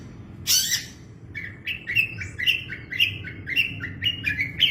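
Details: Master song of a long-tailed shrike, used to train cage birds: one harsh rasping burst, then a series of short rising chirps, each stepping upward, roughly two per second, with a low rumbling background.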